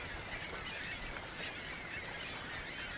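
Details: A dense, unbroken chorus of many ring-billed gulls during migration: overlapping harsh, squealing mews and cries without pause over a faint low rumble.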